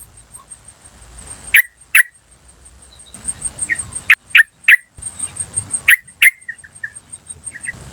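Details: Yellow-vented bulbul recorded in the wild as a lure call: short, sharp "cuk" notes in loose groups of two or three, with a continuous high whine and soft background hiss.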